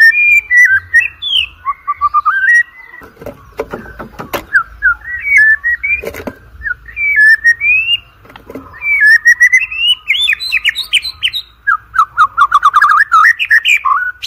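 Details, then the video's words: Long white-rumped shama song for training birds before song competitions: continuous fast whistled phrases, slurs and clicks, some harsh broadband snaps, ending in a rapid twittering run, with a constant low hum. "OCEHAN MURAI BATU PALING EDAN, COCOK UNTUK PANCINGAN MURAI BATU UNTUK LOMBA"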